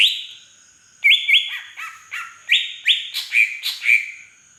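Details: Aceh green leafbird from Beutong forest, song with fill-in mimicking a drongo: a lively string of about nine loud phrases, flat whistles, rasping chips and falling slurs roughly every half second, a constant faint high-pitched whine behind.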